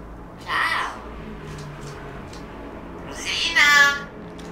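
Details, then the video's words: Two pet talking hill mynas (merli parlanti) give two brief, raspy, voice-like phrases imitating Italian human speech, the second ending in a bright whistled note, with quiet room hum between. "merli parlanti"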